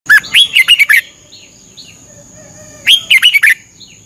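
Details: Red-whiskered bulbul from Thailand, a training song played 30 minutes every morning to help birds learn; two bursts of five or six bright, rolling whistled notes, a rising slur first, separated by a pause, over a steady high whine.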